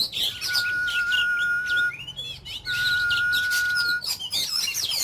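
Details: Oriental magpie-robin kept for ornament, 'kích lửa' fire-up singing in daily voice training: two long steady whistles, each about one and a half seconds, laid under busy high chattering and trills.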